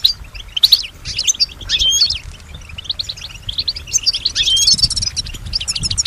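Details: Caged female European goldfinch singing: irregular high chirps, thin whistled notes and quick twitters, ending in a rapid trill, with soft background noise.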